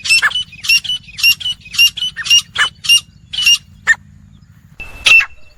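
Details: Calling wild grey francolin: rapid, raspy, ringing notes repeated nearly twice a second, the sequence breaking off, then one sharp louder note after a short gap.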